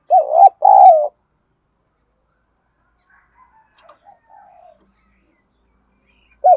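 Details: Spotted dove cooing in the 'giọng đồng' or 'Thổ' voice style, calling and cooing with decoy birds answering. Two loud, low, hooting notes come close together at the start, then soft faint murmurs, and another loud note at the end.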